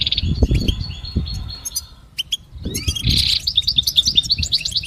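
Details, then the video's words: Goldfinch motivational song: opening buzzy twitter, scattered chirps, a brief near-silent pause, then a harsh buzz followed by fast liquid twittering, over low background noise. "listen to the most beautiful motivational"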